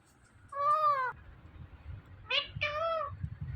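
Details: Pet Indian ringneck parrot talking, voicing "Mithu" and meow-like words in nasal, harmonic syllables: one drawn-out utterance, then two quick bursts a second later, over a faint indoor background rumble.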